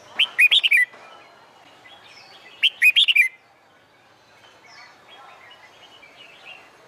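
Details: Contest-training song of a red-whiskered bulbul on a sunny summer day: two rapid phrases of four to five rich, slurred whistles about two and a half seconds apart, with faint softer chirps between.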